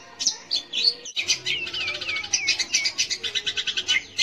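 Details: Long-tailed shrike song used as a lure to provoke young or silent shrikes into singing: busy chattering run of sharp high chirps, rapid repeated notes and short rising and falling whistled slurs.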